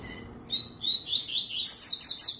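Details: Tui-tui song beginning with a brief lower note, followed by sweet whistled notes stepping upward into a quick series of high, sharp, rolling phrases, with quiet low hum behind.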